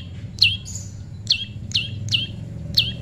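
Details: Prinia, described as tame and pairing naturally, giving sharp high chirps that drop steeply in pitch, five in about three seconds, with a low background rumble.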